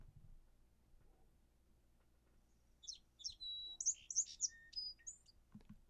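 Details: Song sparrow song opening with two distinct, high notes of equal pitch and volume, then a quick, jumbled ramble of buzzy and whistled notes with no set pattern, lasting about two seconds.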